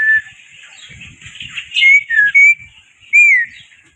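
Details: Black-winged myna, or white starling, in a chatty lure recording: sweet slurred whistles, some rising and some falling, over a faint hissy background with soft low thumps.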